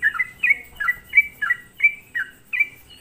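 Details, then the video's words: Sooty-headed bulbul song played as a lure to stir other bulbuls into reacting, with eight clear, slurred descending notes spaced roughly every two-fifths of a second. "hanya Hitungan menit semua burung trucuk di buat emosi dengan suara pancingan trucukan gacor ini"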